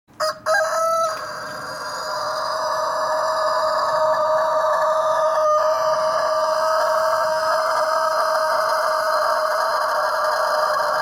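A Japanese rooster gives a short opening note, then one long, steady crow held at an even, ringing pitch for about ten seconds without a break.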